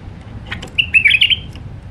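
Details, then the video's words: Alwazi song style from a wild white-eared bulbul in Iraq: a couple of soft clicks lead into a rapid, jumbled phrase of bright, slurred notes lasting roughly three quarters of a second, then a faint final note. "تغريد بلبل عراقي وحشي طور علوازي راقي"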